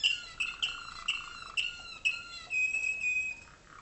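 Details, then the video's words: Waterslager or malinois canary tutor bird in North Canton, Ohio, USA, singing to young birds hatched in 2011 in dark training cages: clear whistled notes repeated about twice a second, then a long level ringing whistle. "waterslager canary"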